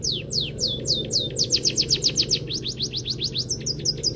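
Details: Scaly-breasted munia song packed with canary phrasing, used as a master for training songbirds: fast chains of sharp descending whistles, about four per second, swelling and easing in loudness, with a steady low background hum.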